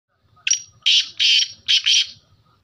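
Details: Black francolin, kala teetar of the Sheedi Lakka type, calling: a harsh, grating phrase of about five rasping bursts, the first short and the rest broader and buzzy, in two paired groups over two seconds, with faint low background rumble.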